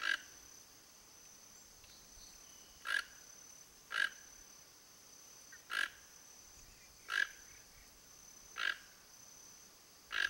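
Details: A Toco Toucan in Brazil, keeping watch around its nest, gives seven short, harsh croaks, roughly one every one to two seconds, over a steady high insect drone.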